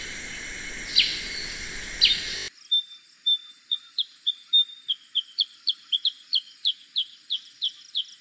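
A black-crested bulbul gives a quick run of about fifteen short, bright notes, two to three per second. Two sharp downslurred notes sound over a hiss at the start.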